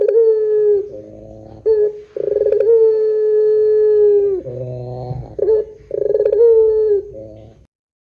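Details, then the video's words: Barbary dove calling in the long pelung style as a lure for other doves: repeated rolling openings followed by long, level, hollow coos, broken by short rougher rumbling notes. "SUARA PUTER PELUNG PANJANG JOSS . PANCINGAN SUARA PUTER GACOR DORRR JERNIH"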